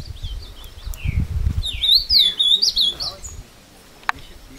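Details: Captive ultramarine grosbeak taken into the woods at Passos, Minas Gerais, Brazil, singing while fighting a wild bird: a fast warbled phrase of sliding whistles lasting over a second, preceded by low rustling and faint voices.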